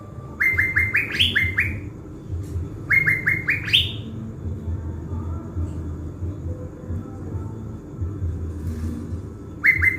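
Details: Decoy blue-winged leafbird in a cage in Bình Thuận, Vietnam, filmed the day before going to the forest. Two fast runs of upward-slurred whistles climb in pitch, then a long quiet gap, with a new run beginning at the end. Low background rumble.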